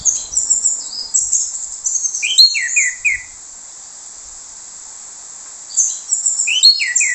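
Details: An orange-headed thrush sings a lure song in the plong bongkar usian style to provoke other thrushes: high twittering phrases with a string of quick descending slurred notes, a silent gap, then the phrase again.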